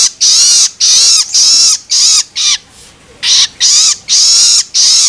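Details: Loloan begging calls of a juvenile long-tailed shrike, used to excite adult birds: grating, noisy shrieks with a dropping pitch, repeated in quick succession, broken by one brief pause midway.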